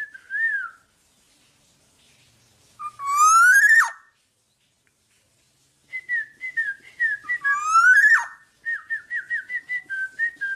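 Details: A tame, uncaged black-naped oriole gives loud, fluty whistles and two harsh, rising nasal sweeps, then a quick run of short, bouncing whistled notes in a quiet room.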